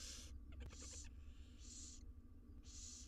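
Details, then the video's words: Loud, continuous wheezing hisses from barn owl nestlings fed inside a nest box, Israel, with a cluster of quick clicks between the first two bursts. "All 6 barn owl nestlings get fed insnside nesr box"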